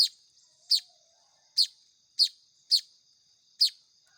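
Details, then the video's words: Hand-reared Baya weaver chicks begging during feeding: seven short, scratchy, piercing notes in about four seconds, irregularly paced. "SUARA ANAKAN BURUNG MAYAR"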